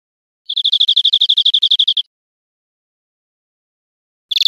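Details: Greenfinch song from Spain, 2013: a crisp trill of about fifteen quick, evenly spaced high notes lasting a second and a half, followed by silence and the start of another burst.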